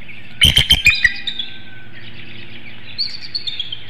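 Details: Bald eagle at a nest in Hanover, Pennsylvania, calling at dawn on a chilly March morning for its mate to take over incubating: a quick burst of about five high, piping chirps, then faint distant birdsong.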